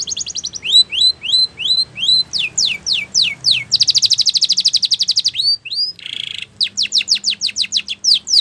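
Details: Spanish Timbrado canary singing a training song: repeated rising whistled notes, a run of downward sweeps, a long fast rattling trill, a buzzy burst, then more quick descending sweeps.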